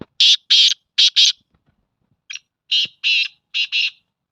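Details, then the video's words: Black francolin giving loud, rasping, buzzy notes in paired and grouped bursts, two phrases within a few seconds, in a quiet setting. "کالا تیتر کی مختلف آوازیں black Francolin voice"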